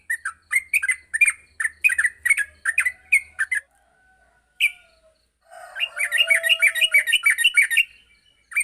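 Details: Morning yellow-vented bulbul training recording for young bulbuls: quick bursts of chirpy, ringing notes, then a short pause with a faint thin whistle and a lone louder note, before a denser, faster run of chattering notes resumes.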